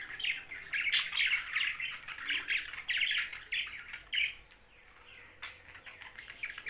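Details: Young budgerigar giving harsh, scratchy squawking chirps in quick repeated bursts for about four seconds, then quieter scattered chirps with a sharp click.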